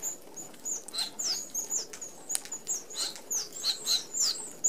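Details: Red-browed Finches feeding as a flock at an open aviary feeder in Australia; high thin whistled peeps and downslurred squeaks come in quick succession over a whir of wings.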